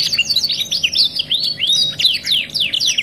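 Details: Domestic canary singing a "2 in 1" masteran training song, a quick sequence of high swooping whistles and sharp chirps, each slurred up or down, in close succession.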